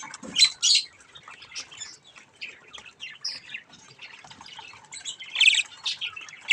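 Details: Budgerigar chicks having fun with a mirror make scattered harsh squawks and chirps, loudest near the start and again after five seconds, with quiet scratchy chatter between.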